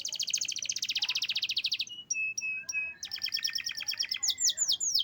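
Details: Canary kept by an Indonesian hobbyist singing a varied phrase: a loud rapid rattle, a few short clipped notes, a mixed buzzy trill, then sharp falling whistles.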